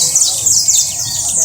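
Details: Short burst of canary trill: very high, quick downslurred notes repeated about every quarter second.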